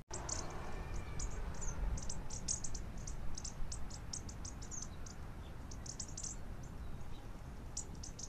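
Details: A flock of Bushtits feeding on the ground gives high, thin, ticking chips, roughly two per second, over a steady low rumble of wind or distant traffic.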